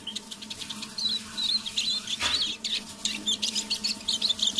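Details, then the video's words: Softly singing caged Eurasian siskin kept as a decoy bird, heard in the evening; rapid high chattering twitters run on almost without pause, with one short rustle and a low background hum. "Песня моего манного чижа"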